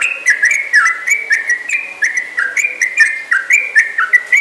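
Yellow-vented bulbul singing a long, lively run of bubbly whistled notes. Short phrases step up and down in pitch, about three or four per second, with no pause.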